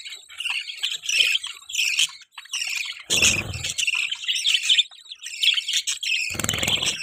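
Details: Budgies giving mating sounds: dense, warbling high chirps and chatter, broken by short low thumping bursts near the middle and end.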